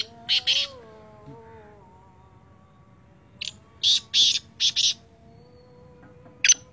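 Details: Sindhi teetar, the black francolin, calling in hoarse rasping notes: a short pair, then a rapid series of five scratchy syllables and one final single note, with a soft humming drone beneath.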